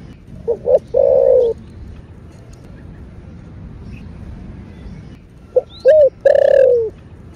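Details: Spotted dove (cu gáy) cooing in the thổ bầu voice for stimulating caged doves: two phrases about five seconds apart, each short notes then a long coo that falls slightly at the end.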